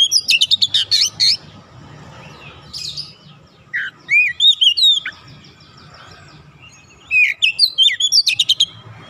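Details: Kacer, or oriental magpie-robin, an untrained 'bahan' bird quickly taking up 'gacor' singing: rapid harsh chatter, a few slurred whistles and sweeping notes, then a final burst of fast repeated chips.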